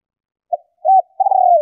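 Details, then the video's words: Female spotted dove coo meant to rouse males: a tiny clipped note, a rounded arched coo, then a drawn-out, vibrating, purring coo that falls slightly at the end, on clean silence. "Tiếng Chim Cu Gáy Mái Kích Bổi Nhanh Gáy"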